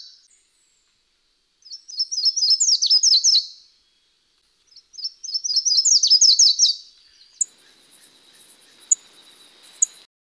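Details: A slate-throated redstart at Fraijanes, San Isidro, Alajuela, Costa Rica, gives two high, thin phrases of rapid chips that speed up and grow louder, about two seconds each, followed by faint high insect-like tones.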